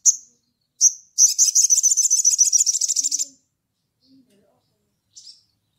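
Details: 'Ngleper' song of a ruby-cheeked sunbird (sogon) challenging a rival: two sharp high chips precede a two-second run of quick buzzy pulses, fading out, followed by a faint low murmur and one last thin chip.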